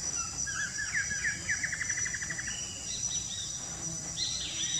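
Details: A lesser kiskadee beside water gives a few quick, buzzy notes, then a rapid, even chatter lasting about a second, over a steady high insect drone; a blackish antbird is also heard faintly later.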